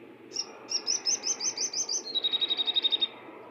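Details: Bar-winged prinia singing: a fast series of high, bright chirps, first slightly slurred, then dropping to a lower steady pitch for a rapid even trill of about a dozen notes, over faint background hum.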